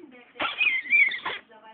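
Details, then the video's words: Cora, a talking blue-and-yellow macaw, gives a loud, hoarse, speech-like phrase of about one second; quiet television speech plays in the background. "Gelbbrustara spricht"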